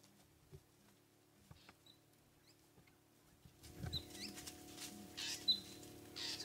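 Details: Southern ground hornbills calling from beyond the clearings at sunrise, June 23, 2016, Sabi Sand; deep, low booms, faint and repeated about every second, while wind or rustling noise swells in the second half.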